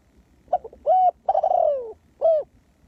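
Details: Ground decoy spotted dove luring wild doves, its phrase of two quick soft notes, an arched coo, a long trilled coo slipping downward and a final arched coo, with quiet low hum behind.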